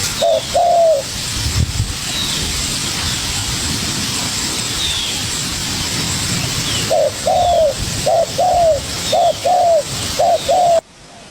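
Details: Young spotted dove dueling with a decoy bird: one low short-then-long coo phrase, a pause of several seconds with background rumble, then a rapid run of about five similar falling coo phrases.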